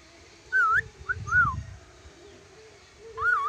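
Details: Lory from Sulawesi giving clear wavering whistles: a rising-falling whistled note, a short pair of bent whistles, a quiet gap with low rumbling in the background, then a final undulating whistle.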